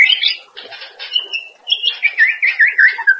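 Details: White-rumped shama master song used to train cage birds, a varied run of scratchy chatter, a held whistle, then a string of rich, looping warbled whistles repeated quickly.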